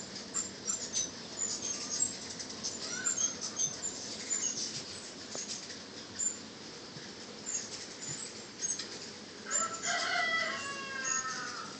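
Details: Many hummingbirds at a nectar feeder, recorded from a distance after the spooked birds returned, trade thin, very high chips and twitters in a steady scatter, with a louder, squealing burst of stacked notes near the end.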